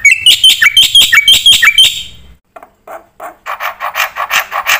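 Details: Black-winged myna singing a 'gacor full isian' song used for luring and tutoring: a quick run of chattering notes, a short silence, then softer, throaty, rhythmic notes.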